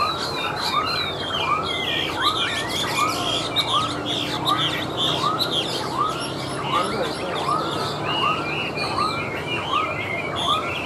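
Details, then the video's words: Chinese hwamei, a tame caged bird singing on a table: an upswept whistled note repeated steadily about every 0.8 seconds, with scattered higher chirps and twitters above and constant background hiss. "Họa Mi Hót"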